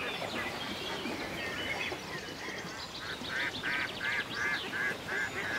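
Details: Ducks gliding on a country lake, a rapid, evenly spaced series of harsh quacks building in the second half, roughly three each second, with songbird chirps and soft ambient noise behind.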